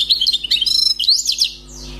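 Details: Wild-caught European goldfinch, newly trapped, singing: a rapid tumbling run of bright twittering notes and quick liquid trills, rising and falling in pitch, ending in a buzzy slurred phrase, with a low hum beneath.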